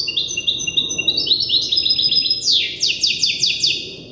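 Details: European goldfinch hybrid in its learning stage, copying an older hybrid's song. Rapid high twittering runs into a series of sharp descending chirps, repeated in a quick rhythmic burst, with liquid notes strung together in a lively, fast phrase.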